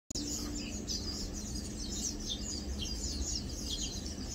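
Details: Lowland white-eyes, locally called Matang dulong, resting, feeding and preening; thin, high chips and short descending twitters repeat through the clip over a steady low rumble of background noise.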